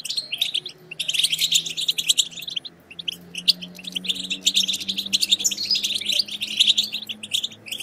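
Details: Goldfinch bitbita twittering used to stir silent goldfinches into song: bursts of fast, bright chattering notes, several seconds long, separated by short pauses, over a faint low steady hum.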